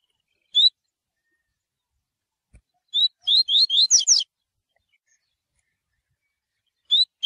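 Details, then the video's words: Double-collared seedeater (coleiro) singing the tui tui style used to train birds for tournaments: a lone rising whistle, then a quick run of upslurred 'tui' whistles ending in a buzzy flourish, and one more whistle after a pause. "COLEIRO/CANTO TUI TUI/RAPIDO FACIL PARA ENCARTA COLEIRO"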